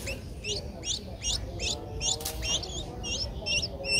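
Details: Streak-eared Bulbul nestling, eleven days old, Ubon Ratchathani, Thailand, 13 April 2023. A rapid run of thin, high, hooked chirps, about two per second and slightly uneven, over low background hum, with one brief click midway.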